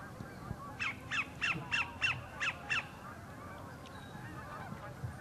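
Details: Sandpiper singing for a mate at the northern end of Horicon Marsh: a short run of seven sharp, evenly spaced notes about three per second, over distant goose honking and marsh background.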